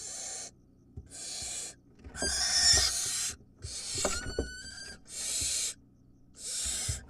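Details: Wild barn owl family at feeding time with the mother bringing food. Repeated rasping hisses, each under a second, some overlaid by a rising squeal and brief clicks and thumps.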